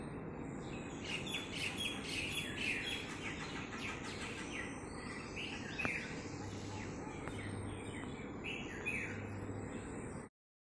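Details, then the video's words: Common myna giving a rapid series of chirpy, squeaky call notes, clustered in the first half and then sparser, over a constant low rumbling background noise; the recording ends abruptly. "Commom Mynah Sound"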